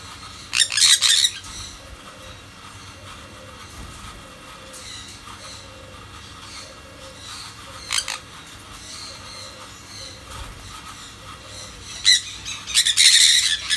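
Sun conures give loud, harsh, grating screeches in short bursts separated by quieter stretches.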